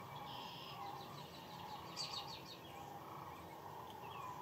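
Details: Sandhill cranes by the hundreds of thousands on the Platte River at the peak of their northern migration, recorded from a photography blind; a dense, unbroken chorus of overlapping rolling calls, with scattered higher chirps rising above it.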